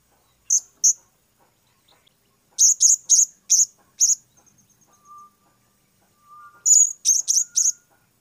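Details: Blue-crowned hanging parrot calling as it is tested for the first time, with lure use intended. Very high, sharp, shrill notes come singly and in quick runs of four or five, with quiet gaps between them.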